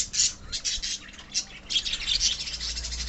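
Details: Pet budgerigars in a colony chatter continuously with harsh, high squawks and quick chirps that overlap, giving a busy, rasping texture.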